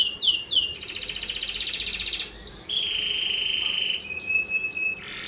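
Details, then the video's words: Canary in full song, used as a lure for other canaries: loud dense rolling trill for two seconds, then a long steady whistle and a series of short clipped high notes before fading. "PANCINGAN AMPUH Suara Kenari Gacor"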